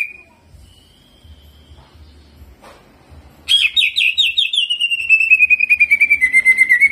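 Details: Greater green leafbird, singing jamtrok style with ciblek mimicry: two faint drawn-out whistles, then a loud rolling trill of rapid warbled notes, gradually falling in pitch, over a low rumbling background.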